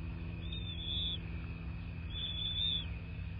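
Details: Bald eagle at a southwest Florida nest on a late-February 2024 morning, captured by nest camera, calling two drawn-out high whistles roughly a second apart, slightly wavering, above a low rumble.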